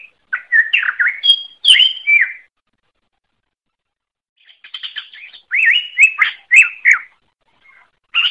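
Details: Greater green leafbird song from a masteran track for training songbirds: two bursts of quick whistled and twittering notes separated by about two seconds of silence, with a soft chatter building before the second burst.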